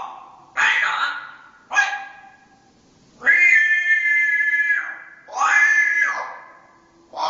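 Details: Loud-voiced Dutch-bred parrot from 2010 letting out grating squawks and long, drawn-out nasal screeches rich in overtones, each held one to two seconds.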